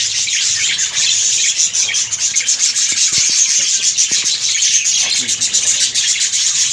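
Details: Colony of breeding budgerigars filling the air with continuous shrill twittering and chirping, broken by a few soft taps and clicks.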